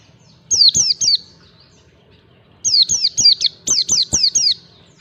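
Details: White-eye singing in the ngalas style for training captive birds: a quick run of three high descending whistles, a pause, then a longer string of about seven rapid, bright, falling slurs.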